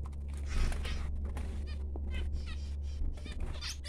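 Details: Newborn baby finches making soft, raspy, high chirps in irregular clusters, with a strong steady low hum throughout.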